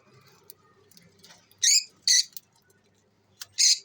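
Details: Lovebirds at playtime giving four loud, shrill, harsh chirps in short bursts, the first two close together, a pause, then two more near the end; quiet low room hum underneath.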